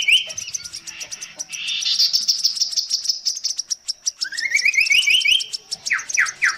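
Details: Chestnut-capped babbler (tepus gelagah, kasokaso) singing a long-duration song variation: a rapid run of ringing notes, then a rising series of clear whistles climbing in steps, ending with short repeated upslurred notes; insects buzz continuously high above.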